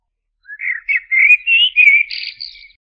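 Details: A single rich, mellow blackbird phrase: a string of rolling whistled notes climbing gradually in pitch, closing with a higher, thinner squeaky twitter. No other noise.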